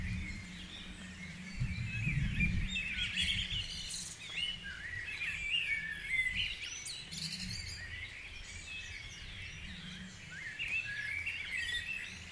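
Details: Guisborough's dawn chorus: a dense, unbroken tangle of chirping, trilling and whistled phrases from many birds, with bursts of low rumble early on.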